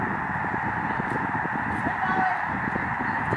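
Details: Snow geese massed on Lake Springfield in Springfield, Illinois, during migration, a huge flock whose overlapping honking merges into one unbroken clamorous din, with a faint brief higher tone near the end.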